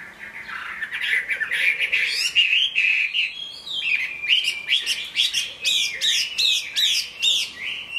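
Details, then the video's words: Chinese hwamei, caged, singing in rainy weather: rich warbling notes giving way to a rapid string of sharp, emphatic whistles repeated in a steady rhythm. "Họa mi hót trong mưa"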